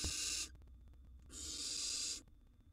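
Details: Wild barn owl chicks in a nest box competing for food: two loud breathy hissing screeches, a short one followed after a pause by one lasting close to a second, with a faint hum between.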